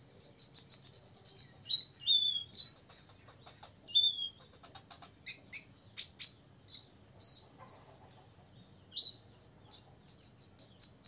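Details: Olive-backed sunbird, six years old, singing to rile rival birds: a fast buzzy trill, then falling whistled slurs and crisp high clicks alternating, closing with another quick rattling trill.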